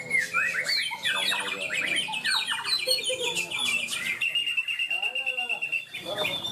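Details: A greater green leafbird (Chloropsis sonnerati) that won best in the main class of a songbird contest in Malinau, North Kalimantan, pours out fast, varied shrill whistles, chatters and harsh squawks nonstop, with faint voices and other birds behind.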